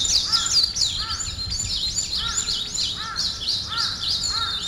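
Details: Morning birds: high chirps in quick bursts, and a lower looping whistled note repeated roughly every second alongside them.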